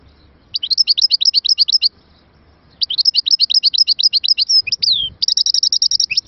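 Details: European goldfinch in song, bursts of quick high tinkling twitters repeated in runs separated by short pauses, ending with a swift even trill.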